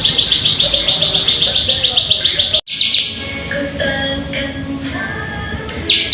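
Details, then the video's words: Plain prinia lure call to prompt singing: a quick run of high, buzzy chirps at about four per second, cut by a brief silence, then scattered softer high notes and chirps. "Pancingan Burung Ciwah/Ciblek Sawah Agar Bunyi"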